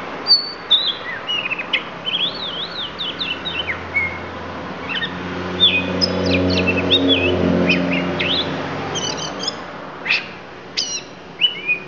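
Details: Oriental magpie-robin, Lampung type, pouring out fill phrases: rapid zigzag whistled notes, chips and short trills across the stretch, with a passing vehicle rumbling in the middle.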